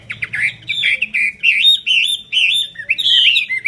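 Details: Chinese hwamei, kept as a cage bird, singing with wings fanned: loud, rich whistled phrases sliding up and down, slurred notes rising and falling in quick succession with short pauses between bursts.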